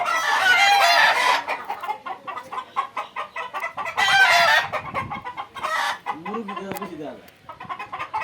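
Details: Flock of Egyptian Fayoumi chickens on a Jamalpur farm: a loud rooster crow opens, followed by busy clucking and scratching, another crow near four seconds, and a man's voice speaking near the end.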